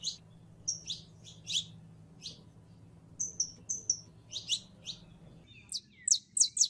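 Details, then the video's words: In-heat female canary calling for a male to mate, repeating high chirps and short flat whistles at irregular intervals, ending with a tight run of sharp notes; low hum beneath. "HEMBRA EN CELO LLAMANDO A MACHO CANARIO PARA APAREARSE"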